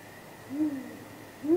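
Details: At the nest on a spring night in 2019, a great grey owl of a pair gives a low, gently rising and falling hoot, then a second begins, part of contact hooting before possible mating; faint hum underneath.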